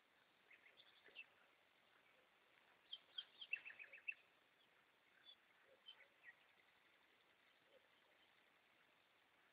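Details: Goldfinches singing at night: scattered bright, high twittering chirps, thickening into a quick tinkling burst of repeated notes midway, then sparser single chirps over a steady faint hiss.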